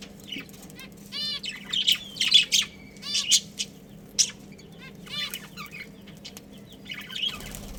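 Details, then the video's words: Pet budgerigars, a breeding pair with their family, chirping: bursts of stacked, harmonic chattering notes and short warbled phrases, some sliding whistles, with a steady low hum underneath. "Adorable Budgies Chirping Sounds"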